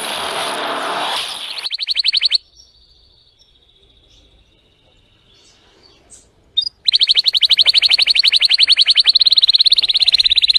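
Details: Timbrado canary singing fiercely and strongly: a rapid, high, even trill of repeated notes, a long pause, then another sustained fast trill; a burst of broad hissing noise before the first trill.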